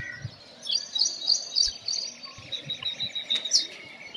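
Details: Brown rock chat, also called Indian chat, a bird of old buildings and rocky areas in India: a quick series of thin, high chirps repeated about three times a second, with faint background noise.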